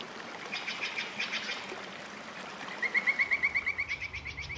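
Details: Nightingale singing deep in the forest: a fast run of about a dozen evenly spaced whistled notes repeated rapidly, following a burst of varied chirps, over a steady background of running water.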